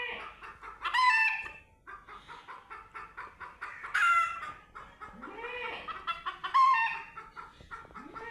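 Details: Chicken on its first meeting with a cat: quick series of clipped clucks repeated with three loud, harsh squawking bursts spaced a few seconds apart.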